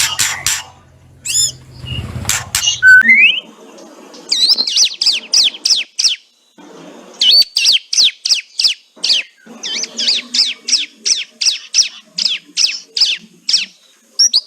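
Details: White-rumped shama kretekan song to spur silent birds: a few harsh notes and a rising whistle, then long runs of sharp, high, clicking notes repeated about three per second.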